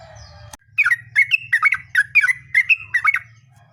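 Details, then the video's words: Long rolling lure song of a yellow-vented bulbul, used to prompt other bulbuls to sing back. Brisk, bubbly phrases of slurred chirping notes repeat about every quarter second for three seconds, with a faint low rumble underneath. "trucukan gacor ROPEL PANJANG buat pancingan trucukan agar bunyi"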